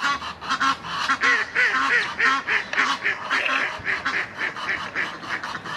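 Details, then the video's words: Egyptian goose, rival gander seeking to win back his female: rapid harsh honks with wavering, slightly rising tones in the middle, pulsing about twice a second, then tapering into quieter calls. "Anderer Nilgans Ganter versucht sein Weibchen wieder zurück gewinnen"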